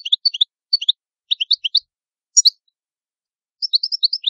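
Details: {'animal': 'European goldfinch', 'caption': 'Italian goldfinch (cardellino) delivering short phrases of quick high chirps with pauses, ending in a run of tinkling descending notes.'}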